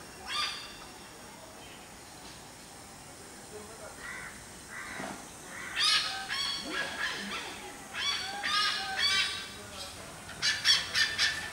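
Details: A wild great hornbill (Buceros bicornis) in jungle in Goa giving loud, harsh, honking barks in short bursts, several notes in quick succession, with softer chatter between.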